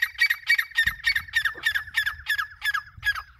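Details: Grey francolin, called teetar locally, delivering a loud, steady run of harsh ringing notes, about three to four per second, continuing throughout, with faint low thumps below.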